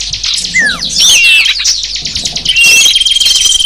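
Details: Small birds in a busy chorus used as a lure for wild small birds: layered high chirps and twitters, one clear falling whistle early, then rising slurred notes and a sustained thin whistle, loud and unbroken.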